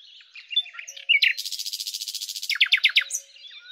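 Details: Song of a common nightingale (Luscinia megarhynchos): scattered soft chirps, then a loud rattling trill of fast-repeated buzzy notes lasting over a second, ending in five or six strong descending chips.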